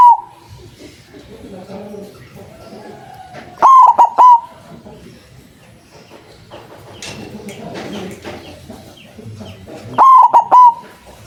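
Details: White zebra dove with a powerful voice, a lure for catching doves: two loud stuttering coo phrases about six seconds apart, each three broken notes ending in a steady tone, with soft background noise and clatter between.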